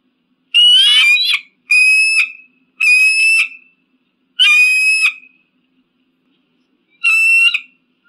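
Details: Eagle screaming: five loud, harsh calls rich in overtones, each under a second long, given about every one and a half seconds against an otherwise silent background.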